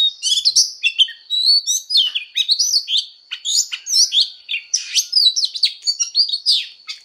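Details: Oriental magpie-robin fighting song: rapid varied whistles, upward slurs and sharp ticking notes poured out continuously, a faint steady high tone underneath.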